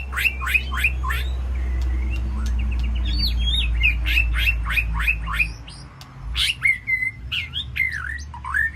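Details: White-rumped shama in an aviary sanctuary calls to its flock with quick repeated downslurred notes, a short buzzy trill and later looping whistles, over a steady low rumble of background noise.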